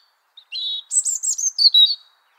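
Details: Wintering European robin in Liepāja, Latvia, January 2023, delivering one brief song phrase: a soft whistled opening, then a rapid cascade of high sparkling twittered notes ending in a lower descending trill.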